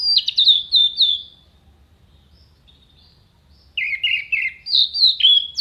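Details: Orange-headed thrush giving sharp, clear song phrases used as filler for contest songbirds: a rapid high descending trill, a silence of over two seconds, then quick repeated mid-pitched notes rising into bright whistles.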